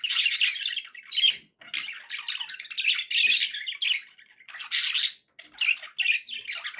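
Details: Pet budgerigars chattering and singing indoors: dense scratchy warbles and squawky chirps in bursts, with brief pauses near one and a half and five seconds.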